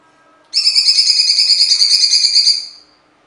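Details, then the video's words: Rough song of a cucak cungkok: the bird starts abruptly with a loud buzzing rattle, pulsed roughly three times per second, holds it for two seconds and falls silent. "Cungkok gacor jeda,materi full kasar original suara cungkok"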